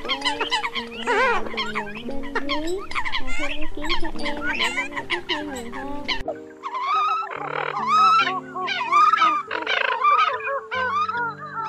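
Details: Eurasian coots on a lure track from October 2020 made for luring birds: crowded overlapping honking calls with an abrupt cut midway, then further bent, rising calls over sustained flat tones.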